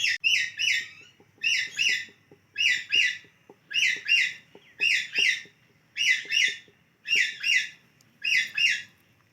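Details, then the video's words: Parrot playing with guava, giving short, bright chirping bursts in quick pairs and triplets, repeated about every three quarters of a second with brief silences between them and faint tapping underneath. "Funny Talking Parrot Playing with Guava"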